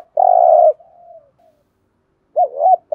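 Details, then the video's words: Spotted dove in thúc gù style: a long, steady, low coo fades into a soft trailing note. After a pause of about a second, a new phrase of two quick looping notes begins. "cu gáy thúc gù nghe phê"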